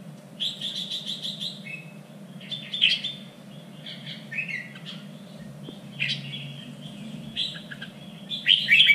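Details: Red-whiskered bulbul contest-training song in a standard three-region Vietnamese voice: opening rapid string of repeated notes, then scattered whistled and chattering phrases, closing with a loud burst over steady low hum.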